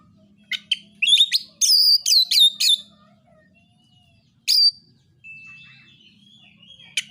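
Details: Oriental magpie-robin singing a narung fighting song to provoke other magpie-robins. A run of loud, harsh, rapidly repeated notes gives way to a single sharp phrase, faint drawn-out whistles and a final clipped note. A low hum runs underneath.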